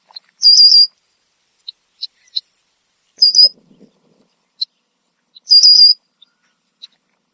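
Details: Perched Red-winged blackbird in Southern Ontario, Canada, calling loudly in alarm. Three buzzy, vibrating whistles about every two and a half seconds, with scattered short check notes between them and faint low rustling.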